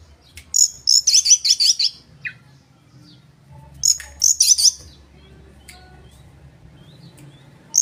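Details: Oriental magpie-robin singing as a lure to provoke rivals, with fast runs of harsh, buzzy, high chattering notes in two bursts about three seconds apart. Thin whistles sound between the bursts over a low background hum.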